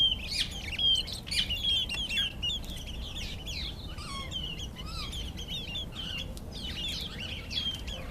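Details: Karoo thrush displaying to impress females: a busy, fairly loud run of short chirps and slurred, sliding notes, many overlapping in quick succession, over a steady low background rumble.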